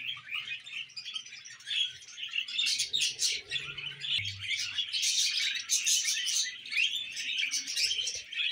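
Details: Budgerigars kept as pets warble and chatter in a long, dense stream of high scratchy notes and chirps, peaking in loud bursts midway, with low hums and thuds from movement below.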